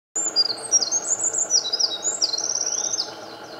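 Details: A Eurasian (winter) wren in Japan on 8 May 2014, singing in the morning sun, pours out a loud, very high song of rapid trills and sharp tinkling notes without pause over a faint background hum.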